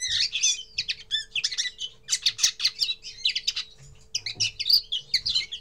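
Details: First song of a common linnet: busy chattering twitter of high buzzy and chirping notes strung together almost without a break, with a brief gap before the last run; a low hum stays in the background.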